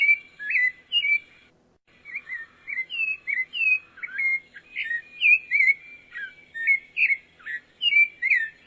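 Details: Sabiá-poca, the pale-breasted thrush, delivers a steady run of short mellow whistled phrases that slur up and down, after a brief pause near the start. Thin high notes are scattered between them, in an otherwise quiet background.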